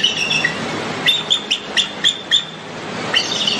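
An eagle gives a rapid series of thin, high chittering notes, about four a second, over a steady background hiss.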